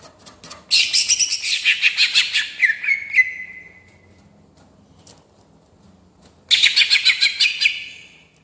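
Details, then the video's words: Greater green leafbird singing in rolling style to provoke rivals: a long, fast stream of pulsing chirps ending in a falling whistle, silence, then a second rapid burst. "Cucak Ijo Gacor Gaya Ngerol Cocok Untuk Mancing Emosi"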